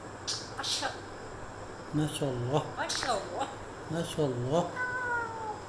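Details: A Congo African grey parrot, talking with its owner indoors, gives short, wavering, voice-like phrases, some almost meow-like, ending with a thin falling whistle; soft room noise underneath.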